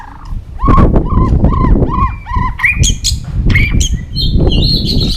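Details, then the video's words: White-rumped shama singing competitively. A row of five arched whistled notes, then higher slurred phrases and a thin sustained whistle, over loud low rumbling background noise. "kích chòe lửa hót đấu ức chế"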